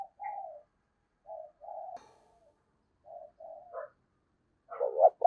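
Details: Spotted dove decoy bird cooing in the 'thổ' voice style: quiet, low, husky coos in short groups with pauses between them, a single sharp click midway, and a louder rough burst at the end.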